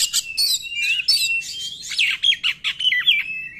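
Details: Oriental magpie-robin delivering a varied song to provoke silent magpie-robins; harsh buzzy notes give way to a run of sweet, sliding whistled phrases that fall and rise in quick succession.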